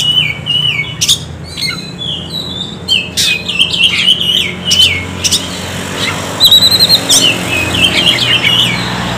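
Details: Whistled Oriental magpie-robin song to stimulate quiet birds: scattered short wavering whistles and sharp clicks, then a quick series of high chirps near the end, with steady low hum.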